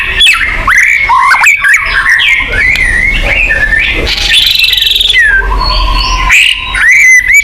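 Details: White-rumped shama song serving as a lure for caged birds: rich whistled phrases with slurred notes, a buzzy high trill in the middle and clear falling whistles.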